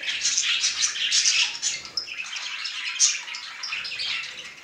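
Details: Male budgerigar in an affectionate display, chattering rapidly with scratchy, squeaky notes and occasional bright whistled chirps, slightly softer toward the end.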